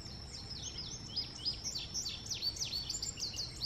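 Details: Indigo bunting giving a rapid series of high, sharp, down-slurred chirps, several per second, over steady hiss and a constant high electronic whine.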